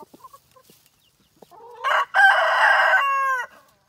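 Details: Rooster giving one long, loud crow: a rising opening that swells into a sustained, harmonic-rich blare lasting about two seconds and then cutting off, preceded by a few faint soft clucks.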